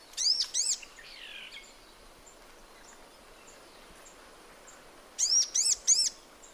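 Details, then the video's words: Sunbird singing in natural habitat, two quick high arched chirps, a soft slurred note, then a long pause and a burst of three bright piercing chirps, faint hiss behind. "Sunbird Singing Sounds"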